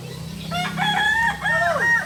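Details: Kokok Balenggek rooster, native breed of Solok, West Sumatra, at a practice gathering: a single crow of several distinct stepped notes, rising then falling in a final drooping slur, over a constant low droning hum.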